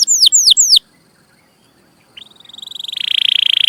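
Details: Singing canary from a master recording for young canaries: three loud downward slurred notes, a pause of over a second, then a trill that starts soft and speeds and swells.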